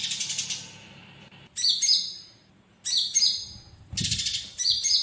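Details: Olive-backed sunbird tutor song with fighting-sparrow inserts for teaching other birds: short bursts of sharp, high falling whistles and brief buzzy rattles, roughly one phrase every second or so, with quiet gaps between.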